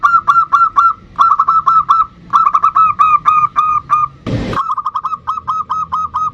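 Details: Actively singing bodronoyo zebra dove, a lure recording to prompt other birds to sing: bursts of four to five rapid, mellow staccato coos repeated back to back, broken once by a short loud thump.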